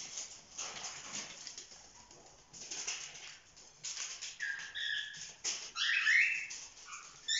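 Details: A group of pet cockatiel chicks, over four months old, at play. Fluttering and scraping noises come first, then loud buzzy harmonic squawks and a rasping, wavering call toward the end.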